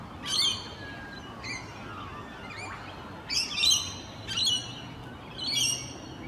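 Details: Rainbow Lorikeets socialising in their natural habitat on a morning: five harsh, buzzy screeches burst out in short groups of one or two, with quieter chatter and faint background noise between them.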